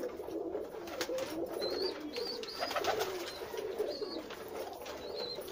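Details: Lots of pigeons together produce a thick bed of low, throaty coos, overlaid by repeated brief high upslurred chirps and scattered clattering taps.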